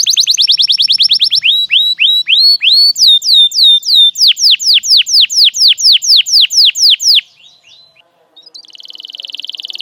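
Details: Canary lure song for young canaries to learn from, long full song: a rapid trill, then rising whistled sweeps, then loud downward-sweeping notes about two per second, ending quietly with a faint buzz.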